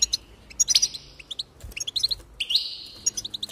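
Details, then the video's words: Goldfinch song used to encourage singing: bright rapid chirps mixed with a few longer buzzy notes, delivered in quick runs with brief gaps. "increase the enthusiasm of the goldfinch and encourage it to song"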